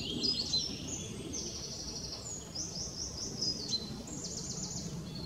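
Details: Singing willow warbler at Hindekamp on 4 May 2017: soft, high, sweet phrases of quick notes sliding gently downward, repeated over a low rumble of wind or distant traffic.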